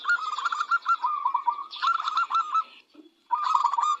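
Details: Lively local zebra dove, whose song sets other birds answering: two long runs of fast, bubbling low coos, a brief silence, then another trilled phrase, with thin high bird calls overlapping.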